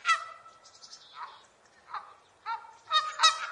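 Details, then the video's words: Farm goose honking: a short series of nasal, harmonic-rich honks, some doubled, with irregular gaps and a louder pair near the end; no other sounds. "Real Farm Animal Sounds: Chicken, Rabbit, Sheep, Horse, Cow, Goose"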